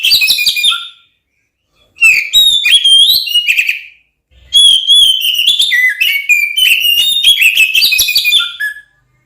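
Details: Caged Oriental magpie-robin song meant to make other magpie-robins angry and ready to fight: rich whistled notes and rapid chips in two long bursts after a brief opening phrase, with pauses between them.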